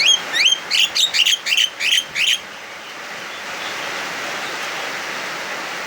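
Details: Agitated Javan myna singing loudly in heavy afternoon rain, a sound said to provoke other mynas into calling: a quick series of about eight harsh, squeaky notes lasting two seconds, then only the steady roar of rainfall.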